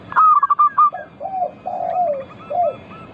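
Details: Actively singing local zebra dove, used as a lure for other doves: an opening burst of sharp staccato notes, then drawn-out lower coos that rise and fall, with a faint string of rapid notes behind.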